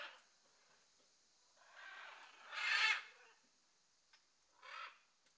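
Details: Juvenile great green macaws in a pre-release flock at mealtime, foraging together: three harsh, raspy squawks over about four seconds, the middle one loudest, against a faint steady hiss.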